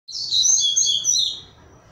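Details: A double-collared seedeater emerging from its moult, eager to sing and now leaner, gives a fast, high, twittering phrase of about a second and a half, with quick slurred notes falling slightly toward the end.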